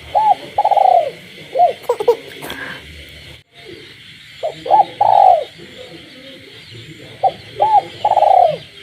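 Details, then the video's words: Spotted dove, a caged bird, cooing at night amid village frog calls: three repeated phrases of hooked coos and long vibrating purrs, brief clattering noise early on, over a continuous high-pitched frog and insect chorus. "cu gáy trong đêm, cu nuôi avi gáy ban đêm hòa cùng tiếng ếch nhái đậm chất làng quê"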